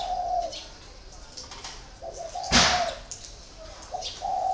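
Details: Caged spotted dove, a còi bird kept four years in a cage, giving soft low cooing phrases separated by pauses. A loud sharp broadband noise sits in the middle, with faint high chirps from other birds.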